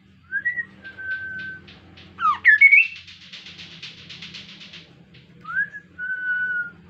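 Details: Insect-eating Kaso-kaso bird in full song, played to lure other birds into singing: upslurred whistle, steady held whistle, a burst of sharp twisting notes, then fast rasping pulses and more rising and level whistles.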